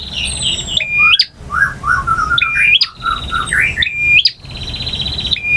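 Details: Song of a male bar-winged prinia, varied ngotot, ngalun and kristal style: buzzy high trills alternate with lower slurred notes, phrases returning roughly every one and a half seconds.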